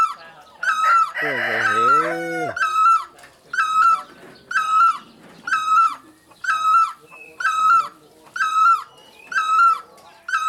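Great barbet giving loud, mellow, ringing notes about once a second in a steady series, with a brief voice-like sound near the start.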